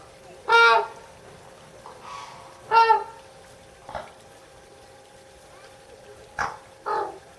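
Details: Red-crowned crane at Higashiyama Zoo, Japan, in June 2010, giving loud, harsh trumpeting calls: two strong blasts about two seconds apart, then several shorter, softer notes, over a faint steady hum.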